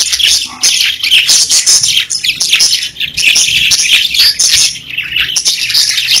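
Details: Several pet budgerigars chirping, a continuous twittering chatter of short whistled notes and harsh squeaks, dense and unbroken throughout.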